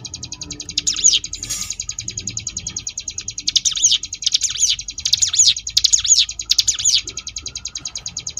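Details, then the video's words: Ngebrem song of the ciblek gunung (Sunda bush warbler), a tutor track for competition birds: an unbroken fast high trill carrying a run of five or six loud swooping accents in its second half. "cigun ngebrem variasi"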